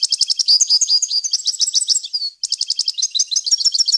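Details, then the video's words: European goldfinch in a clean varied wild-language song for tutoring young birds: nearly continuous, fast, bright twittering of liquid chirps and short trills, with one tiny break midway. "غناء طائر الحسون ، صوت صافي وخالي من الاخطاء لتسميع الفراخ"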